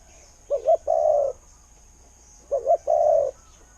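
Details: Spotted dove decoy with a fine 'khu-ang' call. Two matching low phrases two seconds apart, each a short stuttered double coo leading into a longer steady coo, over quiet background.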